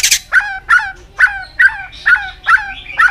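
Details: White-rumped shama at its fiery peak, tail flicking continuously. Harsh, rasping chack notes repeat steadily, about seven in three seconds, each with a short downward tail, after a brief noisy burst.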